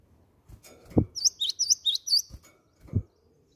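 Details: Cinereous tit lure sound: a short string of about five high, dipping notes, set among low knocks and handling thuds.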